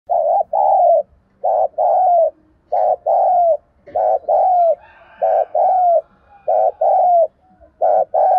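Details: Spotted dove giving the rapid 'thúc gù' urging coo, used to provoke wild doves and train decoy birds for trapping: dense runs of loud, buzzy coos, about forty-eight a minute, in close pairs and short bursts, in a small room.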